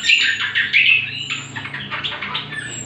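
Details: Cucak kombo, the greater green leafbird, in lure and master song meant to train other birds: harsh squawky notes mixed with quick chirps, dense and slightly rough, and thin high whistles drawn out overhead.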